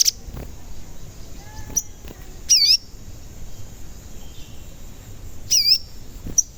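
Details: Lure calls of a sogon bird, meant to set other sogon singing and agitated. Two loud, high, swooping dipped whistles come about three seconds apart, with brief sharp chirps between them.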